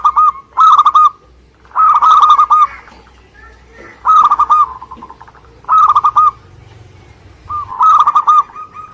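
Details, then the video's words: Local Indonesian zebra dove singing vigorously: loud phrases of four to six quick, clipped cooing notes, repeated about every one and a half to two seconds, with softer cooing between phrases and a faint low hum behind. "Suara Gacor perkutut lokal"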